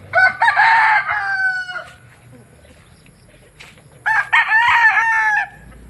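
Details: Two rooster crows, among many roosters calling: a loud harsh crow of about 1.7 seconds ending in a long level tail, a pause, then a second crow from about four seconds, with harmonic bands and a drawn-out end.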